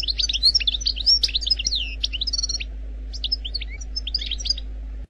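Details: Algerian goldfinch in khelwi song without mistakes: a busy opening of bright twittering and slurred chirps that thins into scattered, softer phrases, with a low steady hum throughout.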